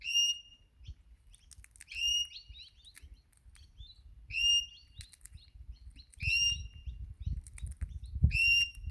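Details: Australian wild Crimson Rosella that comes most mornings to be hand-fed sunflower seeds, seeming to call for food: ringing whistled notes that rise and then hold steady, repeated about every two seconds, with soft thumps and rustling underneath.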